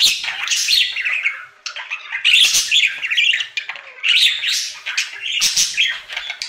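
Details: Daily singing routine of a happy pet budgie: harsh squawky chatter and scratchy warbling in several bursts with brief quiet gaps, indoors.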